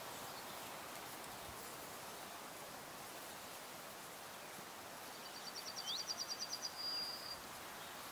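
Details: Green sandpiper at ponds of Buda Stalowska in the Sandomierz Forest, Poland: after a long quiet stretch, a sharp downslurred note leads into a fast trill of high pulsed notes and a short whistle near the end, with soft environmental hiss.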